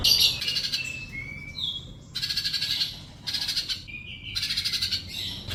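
A hummingbird sings high, buzzy, rapidly pulsed trills in bursts about a second long, broken by thin sliding whistles.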